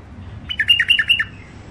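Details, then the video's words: Wild songbird from Mandali, Iraq, held in a cage for sale, sings a short loud phrase of rapid bubbling notes that alternate high and slightly lower, lasting under a second, with soft hum behind. "تغريد مخاليف وحشيه كاع منفذ مندلي طيور نظيفه وصوت صافي"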